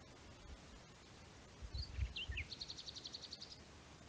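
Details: Common nightingale in the Rodeno pine woods, Sierra de Albarracín, Teruel, giving a few slurred high notes over low rumbling noise, then a fast, steady run of about a dozen clipped repeated notes.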